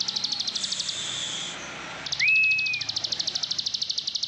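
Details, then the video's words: Plain prinia (ciblek sawah) in Indonesia singing nonstop in ngebren style: a high, fast train of ticking notes, about three per second, briefly interrupted by a clear level whistle, over background noise. "Kicauan Ciblek Sawah Ngebren NONSTOP!"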